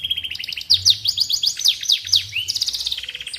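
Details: Canary used as a song tutor for white-rumped shamas: a quick series of sharp downslurred chips about two per second, then a bright rising whistle and a high trill.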